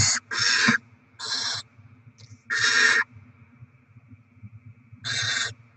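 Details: Barn owl chicks fed by parents with rodents, 7 February 2024: a burst of rasping screeches, some paired close together, others spaced about two seconds apart, over faint hum and low rumble.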